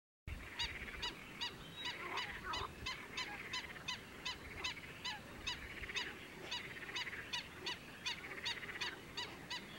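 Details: A single Black-winged Stilt calling incessantly in the breeding season at Sultansazlığı, Kayseri, gives sharp, nasal, almost goose-like yelping notes about three times a second in an uneven, overlapping run over a faint background murmur.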